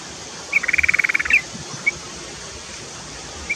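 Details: Yellow-vented bulbul, bathing and singing actively, as training and lure material: a fast, even run of about a dozen bubbling, slightly buzzy notes lasting under a second, followed by a few isolated single chirps against a quiet outdoor background.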